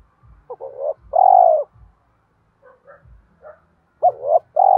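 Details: Spotted dove decoy singing to stir wild doves into calling back: a fragment of hooked coos and a long throbbing note, a gap with faint quieter coos, then the phrase resumes loudly at the end. Low soft knocks in the background.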